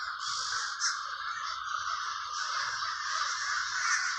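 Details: Villa Park, Trenton, NJ crows producing a continuous grating chorus of caws, with a few individual calls poking out above the steady crowd noise.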